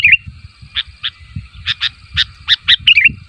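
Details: Sooty-headed bulbul calling so other bulbuls answer: a wavering note, isolated chirps that quicken into a run, then another quick wavering phrase, with faint low hum.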